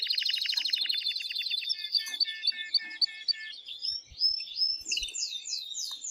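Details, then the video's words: Male canary singing hard to stimulate the female to mate: a very fast rattling trill, evenly spaced sharp chip notes, then a rising whistle and a quick run of high slurred notes. "تغريد قوي جدا كناري هائج لتسميع الفراخ | canary singing"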